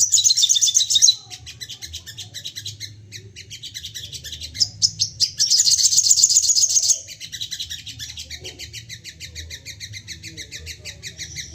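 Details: Excited crested jay (sogon) in a call-provoking recording. It gives long stretches of fast, high chattering rattles with a louder whistled trill in the middle, and softer rapid ticking between bursts.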